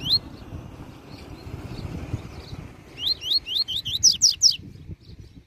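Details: Master coleiro, double-collared seedeater, giving the Tui Tui Zel Zel song meant for tutoring young birds: one opening whistle, soft warbling, then a quickening run of bright upslurred notes that finishes with loud, steep, buzzy strokes.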